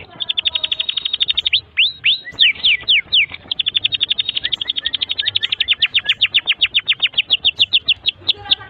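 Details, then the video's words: Long continuous canary song for teaching young canaries: rapid steady trills of high chirps, a burst of sweeping slurs, then a long fast rattle of repeated notes. "Kenari GACOR PANJANG INI Cocok untuk Masteran KENARI PAUD dan Kenari Macet BUNYI"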